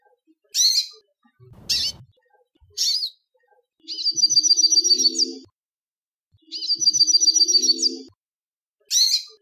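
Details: Hooded siskin metallic song used for tutoring young birds: short high sharp notes, then two long buzzy, metallic trills of rapid repeated notes, each lasting over a second, separated by silence.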